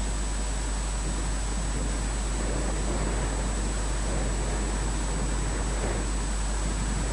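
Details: A constant low rumble and hiss runs throughout, with a faint electrical hum.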